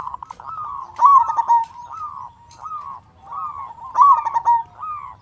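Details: Loud-voiced local zebra dove, song used to prompt quiet doves into singing: two rapid rolling coo phrases three seconds apart, each followed by soft, descending arched notes.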